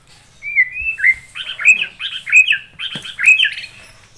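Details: White-rumped shama in full song, used as a master recording for training other birds: slurred whistles leading into a rhythmic series of rich, warbled phrases repeated about every half second.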